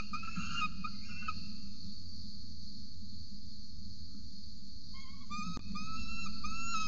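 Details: Peregrine falcon nest in Orange, Australia, filmed by a ledge camera at 8:07 am, 26 November 2020, with an adult feeding a chick. A few sharp chirps open the clip, then a pause, then a fresh burst of rising, squeaky calls.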